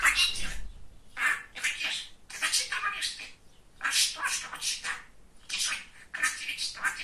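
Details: A talking pet budgerigar, a male described as very chatty, keeps up rapid raspy, squawky phrases in clustered bursts separated by brief gaps, with faint low room noise underneath.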